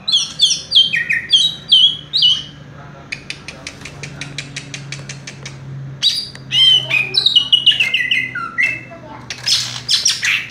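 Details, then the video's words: Greater green leafbird, called cucak ijo, performing its fast rolling 'raja tembak' song while perched: repeated looping whistled phrases, then a steady train of dry clicks, then a burst of varied whistles and harsh buzzy notes. "cucak ijo " raja tembak ""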